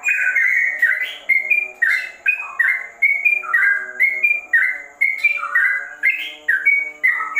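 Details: Ropel-style song of a trucukan (yellow-vented bulbul) sounding like a straw-headed bulbul: rich looping whistles that slur up and down in short repeated phrases, loud and continuous over a constant low background drone.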